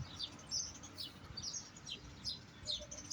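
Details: European goldfinch singing fast, thin, high twittering notes, clustered bursts of bright chirps about every half second, over soft low rumbling background noise.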